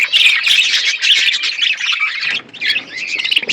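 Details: Budgerigars chattering loudly in an outdoor aviary: dense, harsh warbled squawks for over two seconds, a short lull, then chirping resumes.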